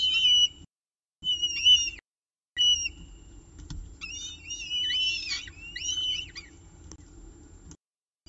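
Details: Peregrine falcon nest at mealtime in the evening, 18 October 2018 at 6:51 pm, filmed by nestcam; brief wailing cries broken by silent gaps, then a run of looping, wavering screeches.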